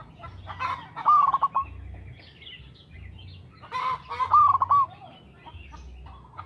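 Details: Local zebra dove singing steadily, a lure recording: two long rolling trilled phrases a few seconds apart, with clicks and faint chirps around them over a low background hum.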